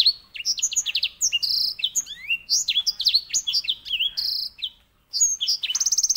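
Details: White-rumped seedeater (edel sanger, grey singing finch) kept as a master bird for tutoring canaries, singing a fast, continuous warble of high sliding whistles, trills and buzzy notes with a short pause near the end, then a rapid buzzy trill.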